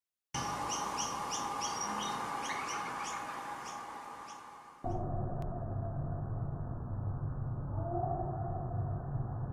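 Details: Female noisy miner feeding her chick gives quick, high chirps, about three a second, over steady rumbling background noise; after a break, louder noise and a faint low tone take over.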